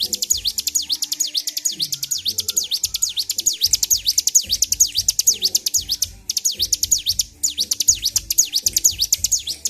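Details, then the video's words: Caged Bar-winged prinia, agitated and singing nonstop in the ngedur style, recorded 26 February 2023: fast series of sharp V-shaped sweeping notes, about two per second, in rapid bursts with brief pauses; low thumps underneath. "CIBLEK GACOR || PANCING EMOSI BURUNG CIBLEK"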